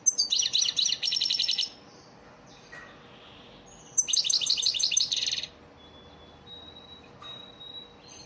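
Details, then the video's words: Elmacık goldfinch lesson song for teaching caged birds: two long, fast runs of bright, high, chattering trills, each about one and a half seconds, followed by a thin sustained whistle. "elmacık saka ders ötüm dersi"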